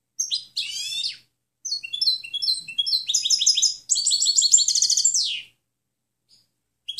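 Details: Goldfinch song meant for teaching other birds, a varied, lively sequence of downward-sweeping notes, buzzy trills and rapid bright twitters in connected phrases over about five seconds, without background noise.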